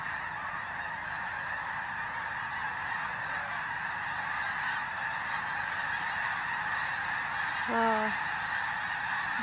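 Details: Snow geese arrive in their thousands before dawn at Bosque del Apache, San Antonio, New Mexico, joining others before the morning flyout. A dense chorus of honks swells slightly, and one clearer, louder call stands out near the end.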